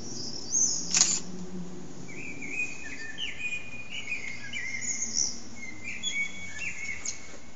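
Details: Common blackbird on an antenna in a long singing bout lasting almost three hours; a sharp high click, then a string of fluty whistled notes and scratchy high trills, with a low hum underneath.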